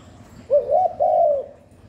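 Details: Continuous spotted dove call used to lure doves; one phrase of a quick upslurred note followed by a long, smooth, slowly falling coo, with no other sounds.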